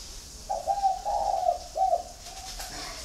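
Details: One spotted dove from a home flock in Ba Vì, Hanoi, Vietnam, gives a single mellow three-note coo, the notes running smoothly into each other, then a faint trailing tone.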